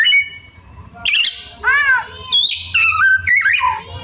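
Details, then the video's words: White-rumped shama (kacer) sings rasping arched notes, crisp clicks and whistled slurs of varied pitch, with a low hum in the background. "Suara Kacer Gacor Rajin Bongkar Isian"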